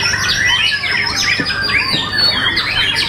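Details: A White-rumped Shama (murai batu) sings in a songbird contest it won first place in, judged for its exceptional volume: rich, fast, varied whistles and trills tumbling over one another, with other songbirds overlapping and a faint background hum.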